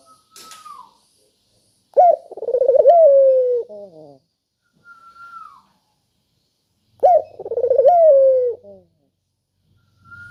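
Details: Spotted dove cooing, offered as a lure for doves slow to call: two full phrases about five seconds apart, each a bent opening note, a rapid pulsing trill and a long level tone, with a thin high whistle heard in the pauses.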